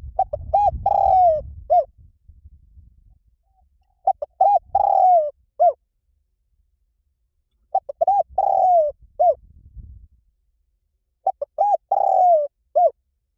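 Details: Repeated 'Liu Tan' style spotted dove coo phrases, meant to draw birds into cooing back. Each phrase has two or three short notes, a long drawn coo falling at the end, and a final clipped note; four phrases roughly every four seconds, faint low rumble between.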